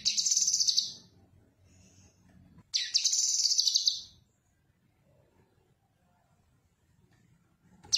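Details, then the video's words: Cucak kinoi singing its characteristic song, recorded as tutor material for training songbirds: loud, high, harsh chattering trills in bursts of about a second, two phrases about three seconds apart, then a third beginning, over soft low background rumble. "Suara Khas Burung Cucak Kinoi Untuk Masteran"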